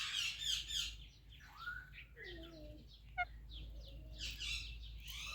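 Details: Ringneck parrot chatter: rapid harsh chirps mixed with sliding whistled notes dipping low, a single sharp click midway, and a steady low hum underneath.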